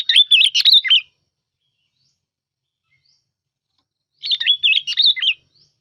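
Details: Sooty-headed bulbul (bông lau) singing for use as a lure: two matching chattering, warbled phrases of about a second each, separated by roughly three seconds of silence, clean with no background noise.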